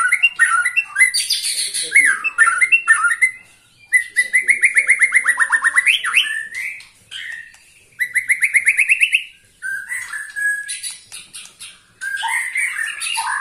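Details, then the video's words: Song of a white-rumped shama aged 21 years, still energetic: rapid chattering phrases, a long rhythmic series of pulsed rising-and-falling notes, and high ringing trills separated by short pauses. "Murai batu ini ternyata usianya 21 TAHUN Gaya main masih NGOTOT"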